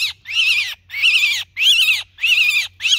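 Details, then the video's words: A myna gives harsh, raspy distress squawks about twice a second, each a loud, grating burst calling the flock for help, over a faint low hum. "Tiếng Sáo Kêu Cứu Bầy Đàn"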